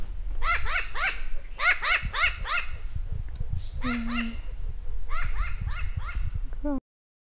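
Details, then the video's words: New Caledonian crow recorded during fieldwork: three quick bursts of four or five arched, nasal call notes, over low rumbling background noise and a brief human voice. "New Caledonian crow photo album with various recorded calls"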